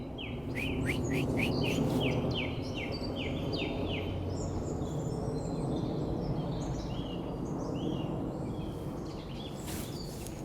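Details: Song thrush singing in the March dawn chorus in a mature mixed woodland park in north Hackney, London: loud, clear, rich phrases, each repeated two or three times in quick succession, over a steady low rumble with faint other birds.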